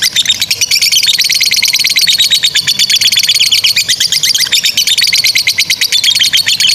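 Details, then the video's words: High, rapid lovebird chattering in the long ngekek style that bird keepers use to train young birds; dense repeated squeaky pulses run unbroken from start to end. "GACOR SUARA 22a love bird ngekek PANJANG INI Cocok untuk Masteran love bird paud dan Macet"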